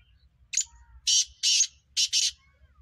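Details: Black francolin (kala teetar) gives its harsh call: one brief introductory note, then four loud, rasping, buzzy syllables in two closely spaced pairs. The background is otherwise quiet.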